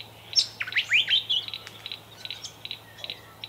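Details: At a bower in a Victorian country garden, Australia, 25 July 2024, a displaying Satin Bowerbird gives loud whistled upward sweeps and squeaks, then settles into a series of rapid doubled buzzy ticks over a low hum.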